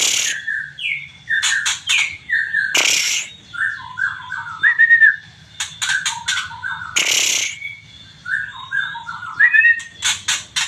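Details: White-rumped shama from Aceh in full song, alternating short clear whistles and sliding notes with dry rapid ticking bursts and loud harsh rasps, phrases repeated in lively sequences over a faint low background hum.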